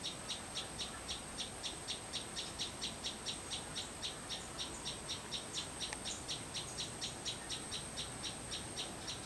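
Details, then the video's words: Sunbird song from the back garden of a rural home: a long, regular run of high, clipped tsip notes, roughly two each second, with a constant high-pitched hiss behind them. "Chim Sâu Hót Sau Vườn"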